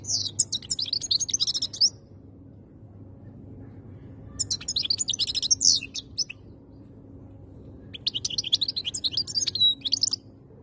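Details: European goldfinch kept as a cage bird in Algeria, delivering three bursts of bright, twittering song about two seconds long with pauses between, each mixing buzzy trills and thin whistles, and a low background hum.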